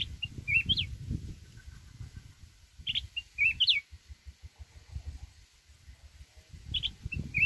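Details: Mountain red-whiskered bulbul singing a wild, forest-style song used to provoke rival birds. Three short bright whistled phrases, rising and warbling, come about three seconds apart over a low rumbling background noise.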